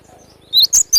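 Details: Wild cinereous tit singing in sharp besetan style: a single short phrase of three loud, high, slurred whistled notes, the last two clipped and emphatic, over near silence.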